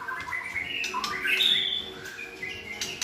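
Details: White-rumped shamas with good voices sing to tutor a selected young shama toward a varied repertoire; clear whistled phrases rising and falling, with brief high sharp notes between them.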